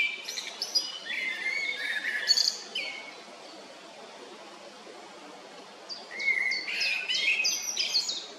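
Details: Eurasian wren at its nest in Heerensbos, 22 May 2019: two dense bursts of high, sharp chipping and buzzy notes separated by a few seconds of quiet, with soft background hiss.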